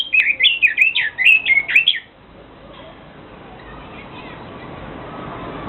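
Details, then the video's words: Rapid tumbling Chinese hwamei song, a two-second flurry of loud wavering whistles that jump up and down in pitch, then stopping abruptly and leaving only soft background noise. "Chim quế lâm hót"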